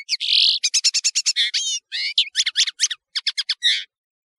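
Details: European serin, known locally as nino in Algeria and camacho in Morocco, singing a fast jingling song of rapid high buzzy notes and trills, densely packed, with brief pauses; recorded as a clear training track for serins.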